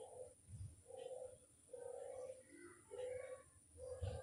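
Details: Barbary dove lure call: low, steady coos repeated about once a second, each a flat hum of roughly half a second with short pauses between, set against a constant high electronic whine and faint background rumble.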